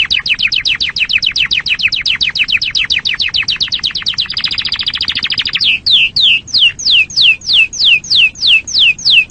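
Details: Canary song, kept as a popular songbird in Indonesia: rapid repeated rising notes form a fast trill that speeds into a buzzy roll, then slows into clear downward-sweeping whistles about twice a second.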